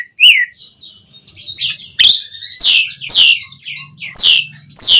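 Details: Asian pied starling song aimed at firing up caged birds: a series of harsh, screechy falling notes separated by short pauses, with faint low buzzing underneath.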